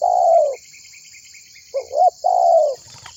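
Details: Tekukur, the spotted dove, giving a lure call to get others singing: a long falling coo, a pause with faint high chirps, then a short doubled note and another drawn coo, over steady shrill background hiss.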